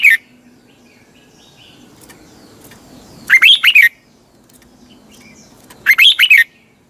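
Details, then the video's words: A red-whiskered bulbul repeats its morning training song, a twisting double-voice phrase: two near-identical bursts of four rolling, rising-and-falling whistles about two and a half seconds apart, over a quiet background. "Luyện chào mào hót sáng, hót hay - Giọng kép xoắn tít"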